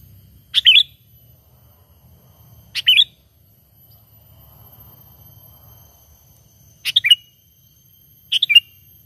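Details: Sooty-headed bulbul lure call, natural and without mimicry, used in trapping: four brief, sharp, tumbling chirps spread irregularly over several seconds against a faint low background rumble.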